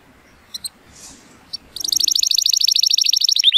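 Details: Male Timbrado Español canary, born 2018, rated 83 points, on a sunny day. After a near-silent start with a few faint clicks, a high fast metallic trill of rapid repeated notes begins and runs to the end.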